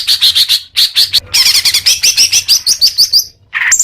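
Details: Greater green leafbird song, played to encourage caged birds: evenly spaced high chirps, then a rapid run of sweeping slurred notes, ending in a lower squeaky phrase.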